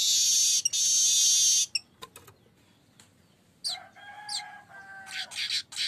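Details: Streaked weaver used as a lure, singing: a long loud sizzling buzz, a pause, then scratchy chattering notes mixed with a steady lower tone and more rapid buzzy bursts.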